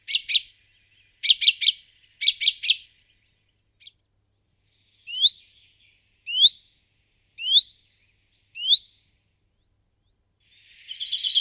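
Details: Common Chaffinch: clusters of crisp chips at first, then four upslurred whistles at roughly one-second intervals, and a buzzy burst at the end.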